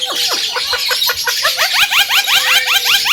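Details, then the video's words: Javan myna in energetic song used as a training recording for other birds: a rapid, dense chatter of upswept harmonic notes, about three per second, over a steady faint tone. "SUARA BURUNG JALAK KEBO PALING GACOR"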